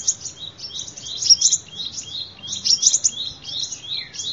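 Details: Sunbird song for use as a lure: a continuous, hurried twittering of high, thin, wavering notes, alternating slightly higher and lower phrases without a break.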